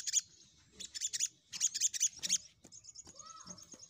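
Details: Crimson sunbird used as a lure to call rivals: clusters of high, sharp chirps and short trills in quick bursts, with a thin steady high tone between phrases and faint background clicks.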